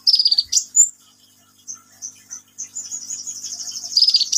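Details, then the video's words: Sunbird in lively song: a high, buzzy descending trill, then a sharp whistled note. A long stretch of fast, thin twittering follows and ends in another buzzy trill. "KICAUAN BURUNG KOLIBRI NINJA GACOR"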